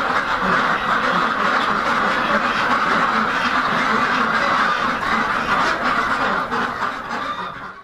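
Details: A farm breeder flock of Rouen ducks (domestic Anas platyrhynchos domesticus, too heavy to fly) quacks nonstop, harsh nasal quacks overlapping into a dense, steady chatter that fades out at the end.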